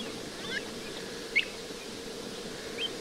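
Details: White wagtail in winter, recorded 20 February 2023 from a bird observatory in the Marais de Séné nature reserve, Golfe du Morbihan: one sharp, high, brief call at mid-clip and a fainter short note near the end, with faint distant calls and a steady low background hum.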